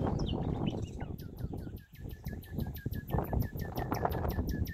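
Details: Spring 2019 in Holland, an unseen common nightingale delivers a rapid, steady series of repeated whistled notes with sharp high clicks, roughly four per second, against a background of low rumbling noise.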